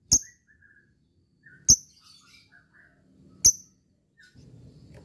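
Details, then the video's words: Fighter lovebird calling to a rival: three sharp, very high, clipped shrieks spaced about one and a half seconds apart, with faint softer chirps between them and low rumbling at the end. "Cik cikk weeeeerrr...lovebird fighter gacor ngekek memanggil l4w4n"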